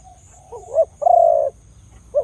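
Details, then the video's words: Loud-voiced Khmer dove uttering one full call of short upslurred notes and a prolonged hollow coo, with the first note of the next phrase starting at the end. "The sound of Khmer Dove and big sound / លលកខ្មែរសម្លេងធំ"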